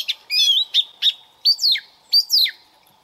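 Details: Young Oriental magpie-robin singing to warm up its voice in the morning, giving bright whistles and then two sharp falling phrases, each followed by a short chatter, about a second apart.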